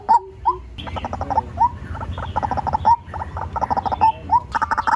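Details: White-breasted waterhen lure call: a few upswept notes, then a busy stream of rapid clucks with recurring upslurred notes every second or so.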